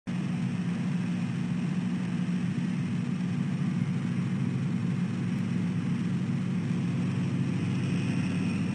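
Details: Steady low engine rumble like an idling vehicle or distant aircraft fills the whole recording, with no animal calls audible.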